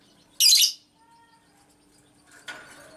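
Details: Female lovebird's ngekek, played to provoke other lovebirds. One loud, shrill, grating burst of about a third of a second is followed by quiet, then soft rustling and a light thump.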